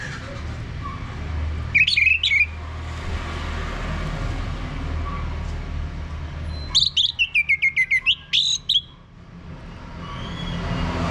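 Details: Male Orange-headed Thrush song meant to prompt birds to sing, a short burst of whistles, then after a long quiet gap a fast jumbled run of high whistled and chipping notes.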